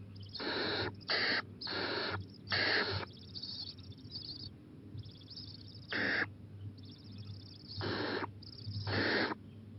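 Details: Owl at 11:26 pm on 23 April 2018, going out to the porch and eyeing the playground; a series of harsh, breathy hissing bursts, each about half a second long, some in quick pairs, over a steady low hum.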